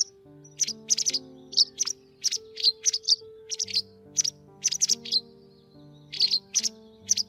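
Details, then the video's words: White wagtail calls used to lure migrating birds into nets, 2020 season: crisp high double and triple chirps in spaced bursts about every half second, with steady low musical notes sustained underneath. "Tiếng Chìa Vôi Trắng"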